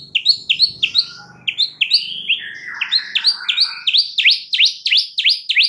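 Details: Vigorous white-rumped shama song for training a stressed bird: emphatic whistled notes in quick succession with a brief warble in the middle, then a steady series of sharp downslurred notes about three per second.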